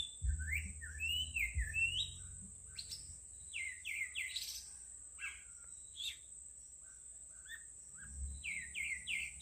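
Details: Bird singing a varied series of short rising and falling chirps and trills, scattered across several seconds with pauses; a constant high-pitched hiss and occasional low rumbling noise underneath.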